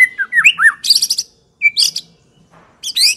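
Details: White-rumped shama song for luring other shamas: quick slurred whistles and dense buzzy high bursts separated by short gaps.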